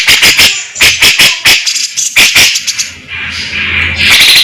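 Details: Cucak jenggot, the grey-cheeked bulbul, delivering rapid tembakan shots in fast besetan style: a quick series of loud, harsh, explosive notes in clusters, then a quieter pause and a rising high buzz.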